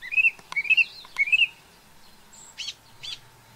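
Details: Introduced song thrush in New Zealand delivering a warbled, rising-falling phrase three times in a row, followed by brief higher chirps.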